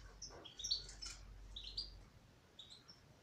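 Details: Female European goldfinch in song, giving a rapid run of sharp, high tinkling twitters, then a few softer, spaced chirps as the phrase trails off.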